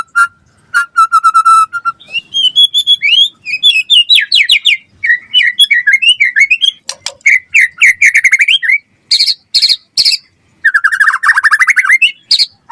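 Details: Murai batu, or white-rumped shama, in full-isian gacor song meant to provoke replies: buzzy rattles and steady whistles give way to rapid chirping runs, sharp high bursts and a closing burry trill.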